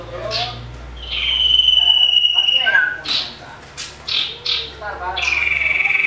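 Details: Common iora in a fighting rage, used as a lure to provoke birds: a long level whistle, a falling note, sharp chips, then a buzzy trill; low hum in background.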